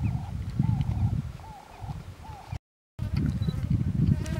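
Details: Stresemann's bushcrow recorded in dry thorn-scrub country at Dubuluk, Ethiopia, 17 January 2015: clipped, arching notes with a rattling tail, given roughly every second, partly masked by heavy low wind rumble, with a short gap of silence.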